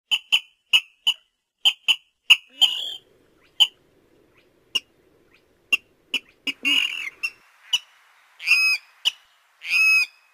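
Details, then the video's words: Brown-cheeked rail giving a series of sharp, high ticking 'kip' notes, several a second, then a few drawn-out squealing calls. "Tiếng gà nước ấn độ"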